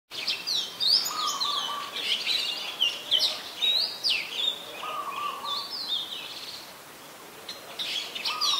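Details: Adult red-whiskered bulbul recorded at Ubon Ratchathani, Thailand, on 3 January 2021: bright, quick chirped and slurred notes in short bursts, with a steady lower flat whistled tone returning three times in the background.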